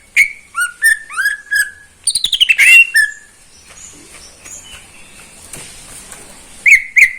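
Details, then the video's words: Caged greater green leafbird singing in the morning; opening run of rising whistled slurs, a quick chattering rattle, then near quiet with faint background before two loud clear notes close. "Kicauan cucak ijo di pagi hari"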